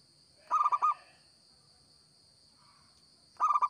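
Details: Local zebra dove singing vigorously, recorded for use as a lure: two bursts of rapid, rolling cooing pulses about three seconds apart, with a steady high-pitched whine in the background.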